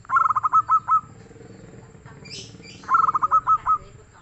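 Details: Local zebra dove, called soft and prolific in song: two phrases of fast staccato coos, each speeding into a few longer, rounder notes at the end, separated by a quiet gap with a faint chirp.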